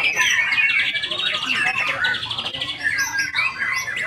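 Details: Murai batu (white-rumped shama) pouring out loud, bright whistles and quick twittering trills, with a few clear slurred notes standing out from the busy flow.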